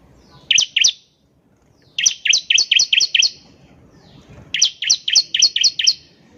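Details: Bar-winged prinia, locally ciblek, singing actively for use as a lure: a quick pair of piercing notes, then two bursts of about seven high, bright, slightly descending double chips, in a quiet background.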